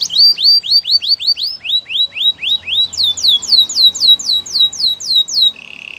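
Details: Canary song for training other canaries: a series of loud, falling whistled slurs repeated about four per second, dropping in pitch midway, then rising again, ending in a short low buzzy trill.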